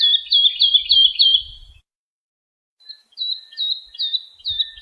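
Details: Lark singing, used to teach young birds: a bright run of repeated downslurred whistles, a low rumble beneath, a pause, then another series of high ringing notes at a steady pace.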